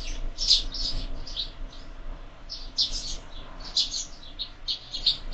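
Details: Several sparrows at a window-mounted feeder during breakfast, in year-round feeding; overlapping short, high chirps and tweets come in loose bursts, some doubled, with quiet gaps between clusters and a faint low background hum.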